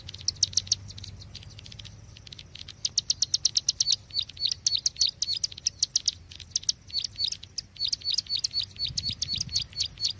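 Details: Bar-winged prinia lure call for bird trapping: bright, high chirps in quick bursts, about two each second, with a brief pause near the middle and faint low hum beneath.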